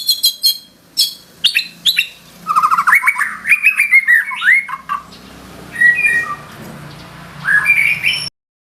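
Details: White-rumped shama, a gacor bird singing its trained fill: sharp high chips, then a rapid chattering run of whistled notes, a rising phrase and scattered whistles before an abrupt end.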